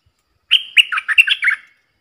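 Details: Song of a red-whiskered bulbul kept as a decoy, played for young birds to imitate and to draw in wild birds: one fast phrase of about seven loud, clear, fluty notes, sliding and bouncing in pitch.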